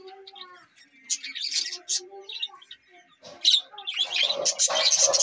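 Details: Budgerigars giving soft warbled notes at first, then louder, dense bursts of scratchy high chirps that build toward the end.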